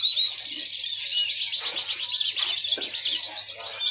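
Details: Continuous bright warble from a yellow-fronted canary, a finch noted for its very melodious song: dense runs of high chirps and buzzy trills with a few clear whistled notes, steady and unbroken throughout.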